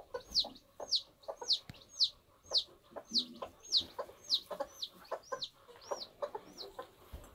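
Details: Hatching bantam chick calling insistently: a quick series of about fourteen piercing, descending peeps at a fairly even pace, accompanied by light scratching and rustling from the egg.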